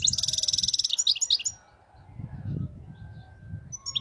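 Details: European goldfinch giving error-free khalawi-style song: a rapid, even, high-pitched trill for about a second, a few twittered notes, then a pause filled with low rumbling noise and a brief closing chirp.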